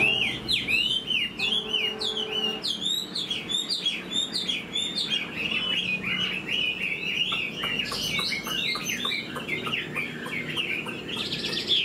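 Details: Chinese Hwamei in a cage, newly moulted, tail fanned and flicking like a laughingthrush as it sings: lively, varied whistling with quick downward slurs, trills and repeated loops, strong and continuous throughout.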